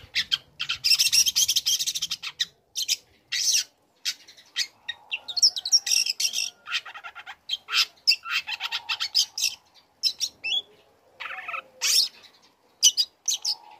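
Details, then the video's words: Young long-tailed shrike singing vigorously to provoke rival shrikes: long stretches of dense, harsh chattering and buzzy bursts, sharp staccato notes, brief pauses, and faint thin whistles running beneath. "Pancingan Emosi | Cendet Muda Gacor Belajar Materi Bikin Cendet Manapun Auto Nyaut Emosi Ikut Bunyi"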